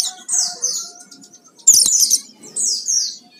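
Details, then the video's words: Vigorous Oriental white-eye song with full fills, a lure to prompt singing: high twittered phrases of downslurred squeaky notes, three main bursts, over a faint low hum. "Pancingan suara pleci gacor full isian"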